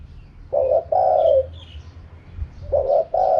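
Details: Spotted dove singing 'karam pa', the wild song style: two hoarse phrases, each a short coo then a longer rolling coo, with faint high chirps from other birds and a low hum.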